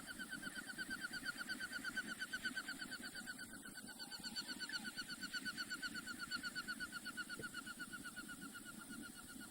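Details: A flying goldeneye passes by as its wing whistle grows closer: a fast, steady, ringing pulse in time with the wingbeats, over a low background rumble.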